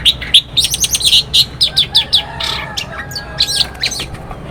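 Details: Long-tailed shrike singing energetically in the morning in Banyuwangi, a lure to provoke other shrikes: rapid series of sharp high chirps, about a dozen in two seconds, then looser scratchy notes trailing off.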